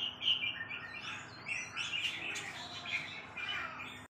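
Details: Red-whiskered bulbul singing: a jumble of bright chirps, warbled notes and quick rising-falling whistles, loudest at the start and fading and returning in short bursts, over a low steady background hum.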